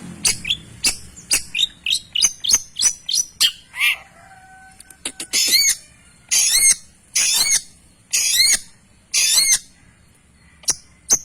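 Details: Long-tailed shrike song meant to spur other shrikes to sing: quick high chips at first, then loud buzzy, rasping bursts about once a second after a brief pause.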